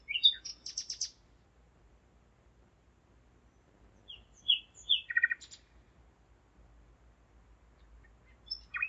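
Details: Night singing of a common nightingale in Zeitz, Germany, 01:55 on 5 May 2017: a fast rattling burst, silence of several seconds, then a few separate chirping notes and a quick repeated trill, with quiet gaps between phrases.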